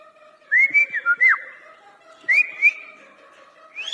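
Indian ringneck parakeet giving clear, high whistled phrases with rising slides: a quick burst of four or five notes, a pause, then two more, and a last rising whistle.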